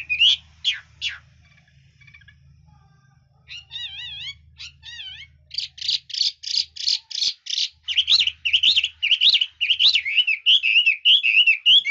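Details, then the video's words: Red-whiskered bulbul in song, praised as an excellent singer with varied, high-class phrasing: a few sharp notes, a pause, then wavering whistled phrases building into a fast run of rich, bubbling notes. "Chú mi cực hay, đảo giọng hót tốt hót rất đẳng cấp"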